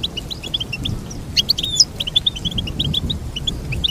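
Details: Goldfinch singing a chattering string of sharp high chirps, with a louder flourish of slurred whistles near the middle, over faint low rumble.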